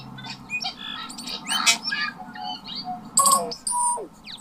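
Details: Native tui of Aotearoa New Zealand, a bird with two voice boxes, singing a varied medley of clicks, short pure whistles, metallic chimes and buzzy notes in quick succession, with a steady low hum underneath.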